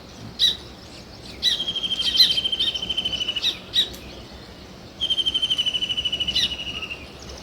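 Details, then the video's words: Sparrow chirping: bright, high chirps in short bursts, some running into rapid even pulsed trills of about a second and a half, with brief pauses between phrases. "Sparrow Chirping Sounds"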